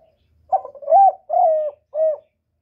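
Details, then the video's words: Spotted dove cooing to lure wild doves to a trapping spot: a short opening note, then a long, mellow, steady-pitched coo and a final short coo, about four phrases in two seconds, on a silent background. "Cu gù cực hay kéo bổi về tàng"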